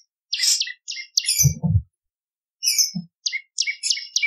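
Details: Bar-winged prinia song from a training and lure recording: high buzzy chirps in short groups, broken by low knocking thumps, then a quicker series of clipped notes.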